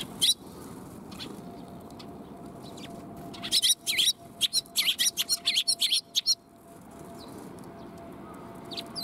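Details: A flock of sparrows comes to be fed, 20 March 2021. After a quiet start, a burst of rapid, high chirps runs for about three seconds, then fades back into steady hiss and a faint hum.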